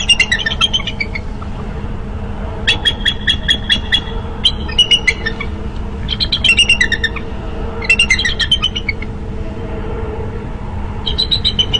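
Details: Bald eagle pair at a nest with eggs on a live nest camera, Minnesota, 13 March 2015, as the female returns and the mates call during changeover: repeated bursts of high chattering, piping notes in series, with steady low background hum.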